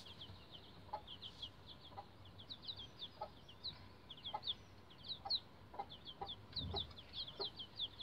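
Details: Rhode Island Red bantam chicks, about 11 days old, using a chicken ladder; a busy chorus of high, short, slightly falling peeps repeated rapidly by several chicks, with soft scratching and tapping beneath.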